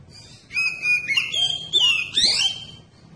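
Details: Oriental magpie-robin (kacer) singing as a lure to provoke other magpie-robins into answering: clear whistled notes near steady pitch, then sliding, twisting whistles rising to a high sweep, one phrase about two and a half seconds long.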